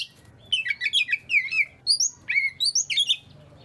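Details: Short burst of Oriental magpie-robin song intended to make quiet magpie-robins sing: descending whistled slurs and high chirps in quick succession, ending in a brief pause.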